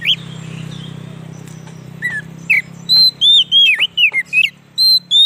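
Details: White-rumped shama song used as a lure for wild birds: a humming background first, then a run of clear, looping whistled notes rising and falling, given in quick succession.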